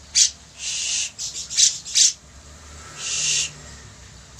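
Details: A vocally active bearded bulbul, recorded as a tutor song for other birds, gives harsh, raspy, high-pitched bursts, some clipped and some drawn out, about five in four seconds at an uneven pace.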